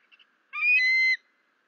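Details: On 28 August 2024 at the Fort St Vrain nest, the male eagle calls as he lands, top nest cam: a loud, clear whistled note held for about two-thirds of a second, rich in overtones, after two faint soft peeps.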